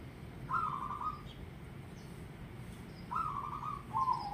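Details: Zebra dove cooing: two bursts of a warbled, hollow trill on one pitch, each under a second long, separated by a pause of about two seconds, with a faint low hum behind.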